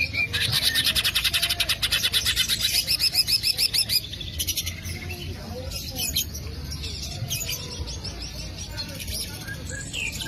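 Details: Green leafbird (cucak ijo) lure song: a fast, buzzy rattle of high notes for about four seconds, then scattered sharp chirps and whistles over a faint low rumble.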